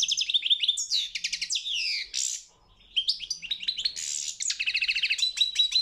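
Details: European goldfinch singing in a world championship song competition: a fast, continuous string of bright twitters, buzzy trills and rising and falling notes, broken by a short pause near two and a half seconds before the song resumes.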